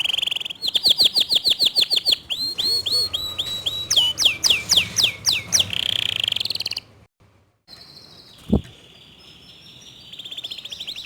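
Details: Local canary singing a fast, dense, clear 'tembakan' song: rapid repeated rising-falling trill notes and high sweeping whistles for about seven seconds, then a short silence, a single click, and faint high trilling at the end.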